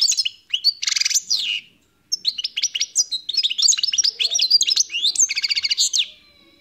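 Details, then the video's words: A European goldfinch sings a fast, tinkling jumble of high twittering notes, liquid trills and buzzy rattles, with a brief pause after the opening phrases. "تغريد طائر الحسون"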